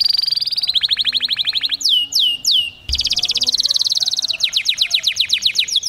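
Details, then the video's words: Singing canary used to stimulate males: fast rolling trill, a few slow falling whistles, a brief break, then a sustained high trill and repeated downward sweeps. "غناء كناري لتنشيط الذكور Canary singing to activate males"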